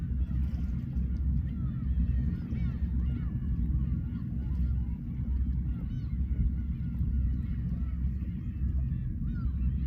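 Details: A flock of Black-tailed Gulls at Horozuki fishing port, Aomori, Japan, with a dense chorus of short, bent mewing calls from several birds, backed by heavy, rumbling wave sound.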